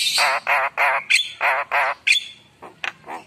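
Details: Javan myna pouring out rasping, wavering squawks in a steady series of about five harsh bursts, broken by short high whistled notes, then fading into softer calls.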